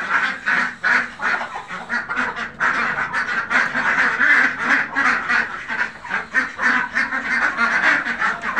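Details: Khaki Campbell ducks on a duck farm quack in a continuous chorus, with harsh, nasal calls overlapping at a quick, uneven pace of roughly three per second.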